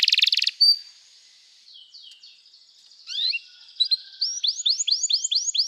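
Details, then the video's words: Canary song used for training: a loud buzzy burst at the start, a quiet gap with faint notes, then a lively run of repeated high upswept whistles near the end. "O som do canário cantando é muito gostoso! melhor treinamento para canario"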